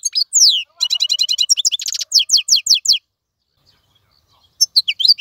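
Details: Wild goldfinch in captivity singing cleanly: sliding whistled notes give way to quick tinkling chirps and a buzzy trill, then silence before a few more notes resume.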